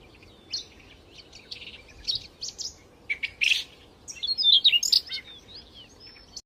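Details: Small birds singing sweetly in the wild: quick, high chirps and thin twittering notes, scattered at first, then a dense burst of varied tweets midway, over quiet background hiss.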